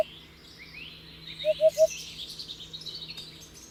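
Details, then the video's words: Single crisp triplet of low, hollow hoopoe hoots, preceded by a clipped note. Busy high twittering and chirping of other birds fills the background. "Hoopoe sound || The most beautiful sound of Hoopoe bird"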